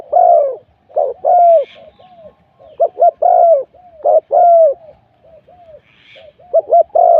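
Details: Decoy spotted dove calling at luring spot 41 to draw in wild doves. Four loud phrases, each opening with one or two short hoots and ending in a long, falling croo. Faint quieter coos lie between them.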